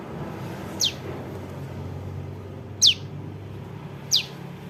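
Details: Juvenile bar-winged prinia call, a lure for catching birds: three high, sharply descending chips spaced one to two seconds apart over steady low traffic-like rumble.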